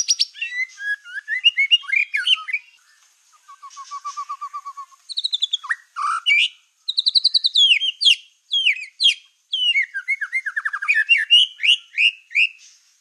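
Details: White-rumped shama of the black-tailed type singing energetically, played to agitate rival shamas: long varied sequence of sweet whistles, fast trills, a low buzzy rattle and bursts of sharp descending chips, with brief pauses.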